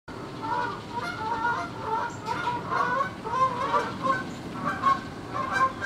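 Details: Canada geese, six flying in formation along the Saint Johns River toward downtown Jacksonville, Florida, at sunrise, 7:33am, October 13, 2015; loud repeated nasal honks from several birds, overlapping, roughly every half second, over steady background rumble.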